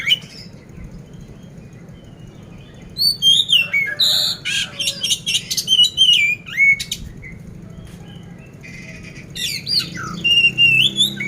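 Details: Oriental magpie-robin of the poci type, caged in Magelang, Central Java, with harsh fill song: quiet start, then loud bursts of rasps and wavering whistles, pause, and further buzzy phrases.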